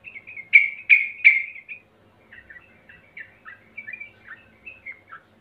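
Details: Sooty-headed bulbul song played as a lure to prompt singing: three loud, sharp downslurred notes followed by a run of quieter, quick chirping and slurred phrases.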